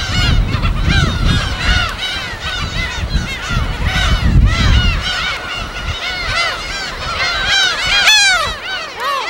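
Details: Many gulls calling together at their natural colony on an uninhabited West Sea island, recorded on site: dense overlapping arched, yelping cries at a rapid pace, with low rumbling surf from breaking waves underneath.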